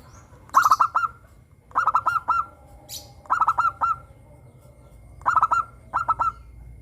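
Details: Zebra dove of the local type, a frequent singer with a crystal-clear voice, played to prompt caged doves to sing: four phrases of quick clipped notes rolling into a sustained coo, separated by short pauses, faint hiss between.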